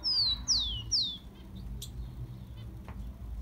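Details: Captive-bird warm-up song of the rufous-collared sparrow: three loud, sharply falling whistles in quick succession, followed by quiet gaps with a couple of faint clicks.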